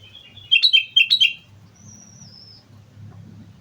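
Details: Lively gacor song of a sooty-headed bulbul from Mount Slamet: two quick bursts of bright, bubbling, fluty notes in under a second, followed by a thin, high, slightly wavering whistle and then a soft low hum.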